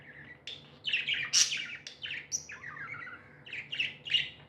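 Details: Tamed budgerigars, said to be happy, give lively chirps and chattering warbles, short scratchy notes with a few sharp squeaky peaks, coming in irregular bursts with brief pauses.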